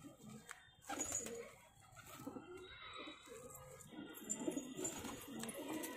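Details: Pair of Cheena pigeons giving low, muffled coos in repeated bursts, with scattered higher chirps and indoor background noise.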